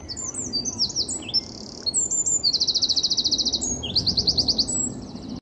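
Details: Loud, clear Eurasian wren song in a winter forest in Japan: high whistled notes, then long rapid trills of clipped notes repeated several times a second, over a steady low background hum.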